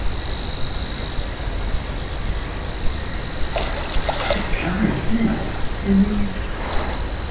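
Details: Distant Savi's warbler, May 2017 at RSPB Minsmere, reeling from a bush over 200 metres off. A steady high insect-like buzz sustains across the whole stretch, under heavy low rumble, faint chirps and short deep grunting notes.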